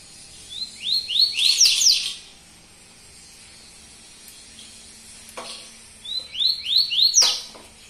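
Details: Bahian yellow-bellied seedeater in tui tuí zero zero song, repeating one phrase twice about five seconds apart: three or four upward-swept whistles followed by a harsh buzzy flourish, with a faint low hum and a click between.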